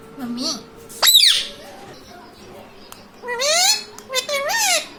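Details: Pet parrot speaking in mimicked words, calling "mummy papa": a low murmur, a harsh squawk, then two bright, wavering, word-like phrases with harmonics, with a faint steady hum behind.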